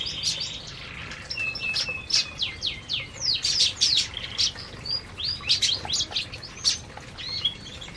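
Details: Several canaries eating in an aviary give a long, dense stream of quick high chirps and short whistled sweeps, loud and irregular, over faint background noise.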